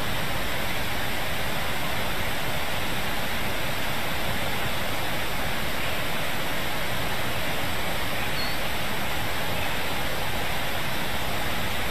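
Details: Steady broadband rushing noise, like wind or running water, with no animal calls.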